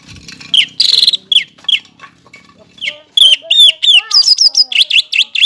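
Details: Greater green leafbird song, played to stimulate young birds: scattered slurred whistles and a buzzy burst, then a quickening run of varied chirps and high, looping whistled notes.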